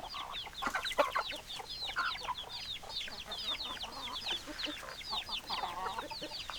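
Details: Many hens clucking together, continuous overlapping short, downslurred clucks and occasional louder cackling notes in a busy barnyard chorus.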